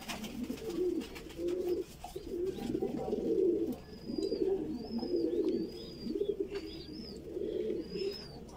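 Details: Voorburg Shield Cropper pigeon, a Dutch fancy breed, with a chick being fed: continuous low, bubbling, throaty murmurs in pulsing bursts, and short thin whistled squeaks repeated above them.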